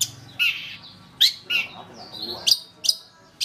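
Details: Long-tailed shrike lure song for training birds, made of spaced harsh chattering notes and brief sharp upslurred whistles, each burst separated by about half a second.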